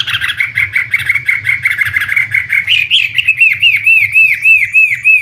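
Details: Imported Chinese hwamei, known as a champion contest bird, producing a fast chattering series that turns into a clear run of repeated looping whistles, about three per second.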